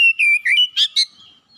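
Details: Short gacor phrase from a home-kept Oriental magpie-robin: several loud, steady whistles sliding slightly lower, ending in two brief sharp, buzzier notes.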